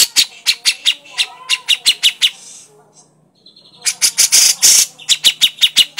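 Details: Grey-cheeked bulbul giving its crecetan chatter: rapid harsh, broadband notes about five per second, a quiet pause near the middle, then a denser buzzy burst and more clipped notes.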